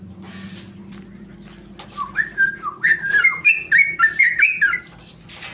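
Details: A tame male sooty-headed bulbul is quiet at first, then bursts into a short rapid 'ropel' phrase of clear, slurred whistles rising and falling, fading out with a single higher note.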